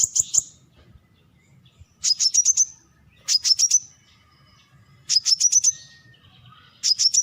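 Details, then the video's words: A brown-throated sunbird gives short bursts of four to six sharp, high chips about every one and a half seconds, with faint other birds behind. "เสียงนกกินปลีคอสีน้ำตาล Brown-Throated Sunbird Sound"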